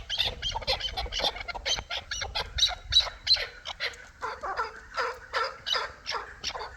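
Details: Hybrid and local chukar partridges give a steady stream of harsh, rhythmic cackling notes, about three a second, from overlapping birds.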